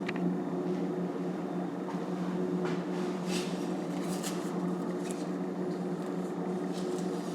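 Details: Constant low mechanical hum like a fan or engine indoors, with faint scattered clicks and no animal sound.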